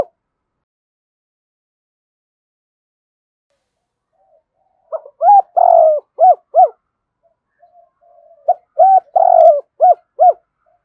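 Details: Spotted dove of the Cườm Sa type giving full cooing phrases, used to lure wild doves: two bouts of low, hollow coos, short notes around one drawn-out coo, separated by silence.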